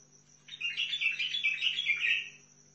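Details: Single fast, jumbled warbling phrase from a bulbul kept in Basra, Iraq, near Al-Faw, lasting nearly two seconds, with a steady high whine and low mains hum in the background.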